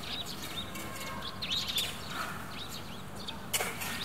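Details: Several sparrows chirp in quick, overlapping bursts of short bright notes, over a steady low outdoor rumble; Shuita Road, Mingshan District, Benxi, Liaoning, China, 5 February 2023.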